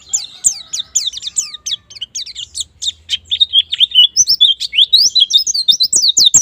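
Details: Lure song of white-eye for quick ngalas and nembak performance: fast high twitters and downward-sweeping notes, growing busier and more varied in the second half, with light clicks.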